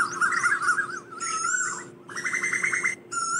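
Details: Asian koel calling to gather the flock, giving wavering whistled notes, then a rapid run of short rising notes, with a steady faint hum underneath.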